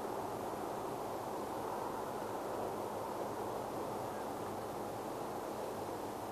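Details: Continuous broadband hiss, like steady wind or surf, fills the recording with no animal voice.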